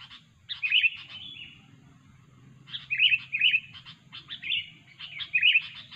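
Sooty-headed bulbul singing three bursts of bubbly, chattering whistled phrases, each about a second long with short pauses between, over a faint low hum.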